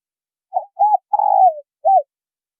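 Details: A male and female spotted dove call to lure wild doves. One clean phrase: two brief hollow coos, a longer slurred coo that slides downward, and a closing short coo. No background.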